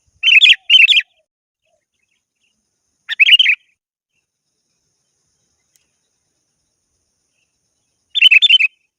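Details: Sooty-headed bulbul calling a rival with short bubbly whistled phrases: two close together, another after two seconds, and a last one after five seconds of silence.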